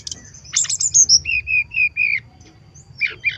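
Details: Brown-chested jungle flycatcher lure song: high thin whistles and a bright tumbling cluster, followed by a series of five even, lower whistled notes and two short closing notes over a faint low hum.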